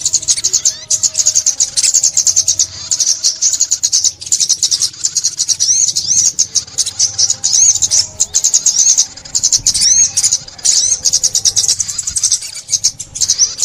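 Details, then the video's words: Sunbird known locally as ốc mít, recorded for bird trapping in 2021: a continuous, dense stream of very high, thin, rapid twittering and trilled notes with brief gaps, and faint low background noise. "Tiếng Chim Ốc Mít"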